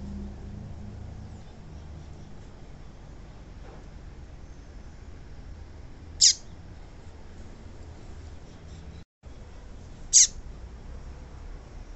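A female Yellow-bellied Seedeater gives two sharp, high chips about four seconds apart over a quiet background hiss.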